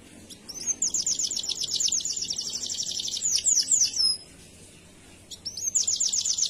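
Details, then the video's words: Canary morning song used to prompt other canaries to sing: long high rapid trill of repeated notes, about four per second, ending in descending sweeps, a short pause, then the trill resumes. "GA PAKE LAMA, PANCINGAN KENARI PAGI HARI EFEKTIF"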